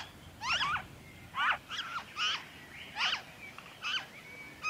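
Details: In Victoria, Australia, February 2023, a noisy friarbird gives raucous, twangy notes, each a quick knot of bent harmonics, in irregular pairs and singles. A thin, faint whistle drifts in the background.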